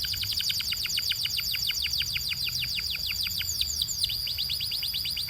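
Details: Canary song presented as a training and coaching song: a fast, even trill of short descending chirps, about six per second, over a steady high whistled tone. Faint low background hum.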